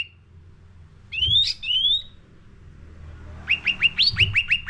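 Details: Sooty-headed bulbul lure song for caged birds: a rattling burst and a drawn-out rising note, a quiet gap, then a fast series of about eight short upward chips. Faint low rumble behind.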